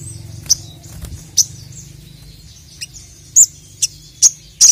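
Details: Crested jay challenging a rival with short, sharp, high chips spaced irregularly, roughly one every half second, against a quiet background.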